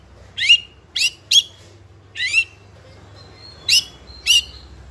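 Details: Juvenile spotted White-rumped shama, a fighter bird whose sounds are played to provoke other young shamas into singing; six sharp, high upward-sweeping chips, loosely spaced, with quiet background between them.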